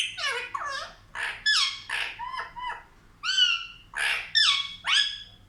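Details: Talking pet parrot, said to speak like a child, producing a string of rapid, high-pitched word-like syllables with sliding, nasal tones, each phrase about half a second long, in a quiet room.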